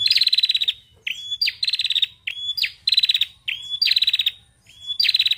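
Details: Female bar-winged prinia song used as a lure to prompt prinias to call: rapid, dry rattling bursts about half a second long, each followed by a short thin whistled note, repeated steadily.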